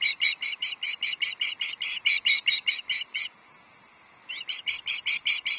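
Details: Osprey at a nest on Loch Arkaig, 11 July 2023, as a male brings a second fish, a headless trout: rapid harsh chirps about twice a second in a steady series, a one-second pause, then the series resumes.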